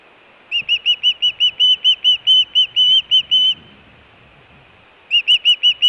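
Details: Osprey at the Hellgate nest in Montana, June 2017, food calling or alert calling: a run of loud, whistled, slightly arched notes, about two per second, pausing for over a second before a fresh burst.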